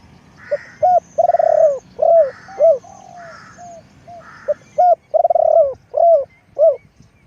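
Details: Spotted dove used as a decoy bird for luring, giving a long run of soft, low coos: short paired notes followed by drawn-out hoarse croos, repeated steadily, with faint high chirps from other birds above.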